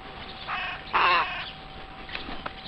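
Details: Crows at a zoo window early on Pentecost Sunday morning give two harsh, hoarse caws about half a second apart, the second louder and longer, over a steady background hum.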